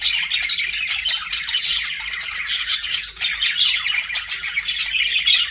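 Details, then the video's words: Pet budgerigars chirping and warbling, likely indoors, in a dense continuous stream of scratchy, buzzy chatter with short bright squeaks and high whistled notes overlapping throughout, suggesting several birds. "BUDGIE SOUNDS"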